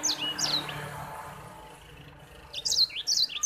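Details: White-rumped seedeater song, used as training material for other songbirds: a few high sliding whistled notes, then a faint quieter stretch with background hiss, and a burst of sharp, bright, descending chirps near the end.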